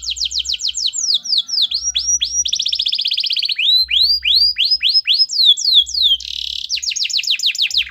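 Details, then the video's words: Gacor canary singing continuously to encourage a reluctant canary: quick falling slurs repeated about four per second, a dense buzzy rattle, more looping downslurs, and a brief harsh burst near the end. "Suara Kenari Gacor Yang Malas Awas Nyaut || Pancingan Kenari Malas Bunyi"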